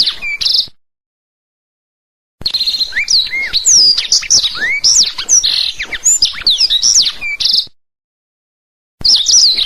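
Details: Black-throated canary song meant for training canaries, in bursts separated by silent gaps. The main phrase is several seconds of fast high whistles, upward-sweeping slurs and buzzy trills, followed by a brief restart at the end.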